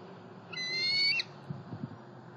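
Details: Bald eagle in Southwest Florida, July 5, 2020, where two young eagles fly between nest, pond and a snag tree: a single long, high whistled note with ringing overtones, held steady for about half a second, over low rumbling background noise.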